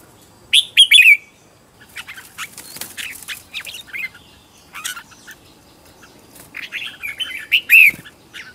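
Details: Red-whiskered bulbul decoy song for luring wild birds and training birds at home: a loud bright warbled phrase of slurred whistles, scattered softer chirps, then another rich gurgling whistled phrase.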